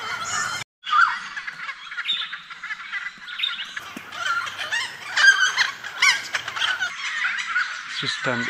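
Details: Dozens of noisy friarbirds feeding on nectar in Goldfields bush near Whroo, Victoria, Australia, make a dense, raucous chorus of harsh, cackling, overlapping calls without pause, loud enough to drown out other birds; a man's voice briefly audible.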